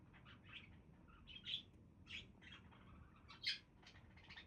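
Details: Budgerigars chattering: scattered short, bright warbling chirps and squeaks, some louder notes around the middle and near the end, with a soft low hum in the background.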